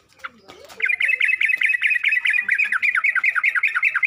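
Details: Yellow-vented bulbul in a training recording played so other bulbuls learn to sing. After a short scratchy start comes a rapid, continuous series of clipped, warbling chirps, about two or three per second.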